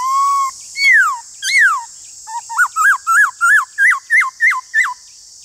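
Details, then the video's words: Black-throated laughingthrush in a singing duel with another laughingthrush: a long steady whistle, then falling slurred whistles and a rapid run of about ten short rising-falling notes, over a constant high hiss. "Khướu bạc má Hót Đấu với khướu ngoài"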